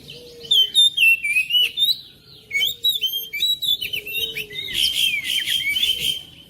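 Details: Oriental magpie-robin singing, used to prompt a silent magpie-robin to join in at home. Bursts of quick whistled and chirped notes come in several phrases separated by short pauses, ending in a dense rapid twitter.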